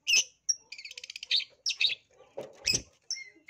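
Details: Long-tailed shrike in lure song, high in breeding condition: high chirps and a fast trill-like stutter, buzzy notes, a low thump, then a short falling whistle.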